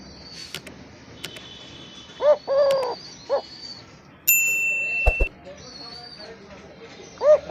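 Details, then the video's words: A village-kept Eurasian collared dove gives a low, hollow three-note coo, then a single note, with thin whistles of other birds and a steady electronic-sounding tone behind. "আমার দোলে ঘুঘুর ডাক ।। my Eurasian collared dove sound"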